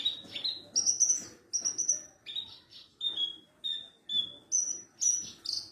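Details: Song of a Javan bush lark, parva type, kept as a training model for other larks: bright, sharply falling whistled notes delivered about twice per second, some high thin slurs and rough chirps mixed in.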